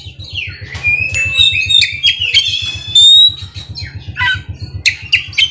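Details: Caged kacer, the Oriental magpie-robin, delivering ngerol and nembak song: long drawn whistles and quick chipping notes over a continuous low pulsing hum.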